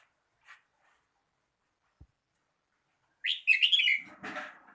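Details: Red-whiskered bulbul song: after near silence, a burst of quick rich slurred whistled notes runs about a second, followed by a rougher, lower trailing sound.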